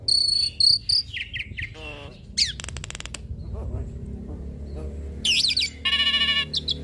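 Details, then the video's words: Varied song of a hybrid starling, used to tutor Asian pied starlings and other songbirds: high piping whistles, a descending buzzy note, a dry rattle and loud harsh buzzing bursts near the end. "Jalak Silangan gacor Full Isian Pas Untuk Masteran Jalak Suren dan Burung Kicau lainnya"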